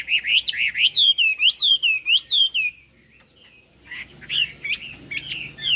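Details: Chinese hwamei in high 'cao cầu' song, giving a rapid series of loud, clear, looping whistled notes repeated about twice a second. After a brief pause, more varied warbled whistles follow over faint background noise.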